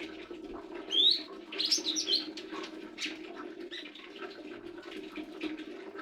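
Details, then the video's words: Lesser green leafbird giving a short burst of high, slurred whistles and chirps lasting about a second, followed by faint scattered notes over a constant low background hum. "Burung Hijau Daun Kecil"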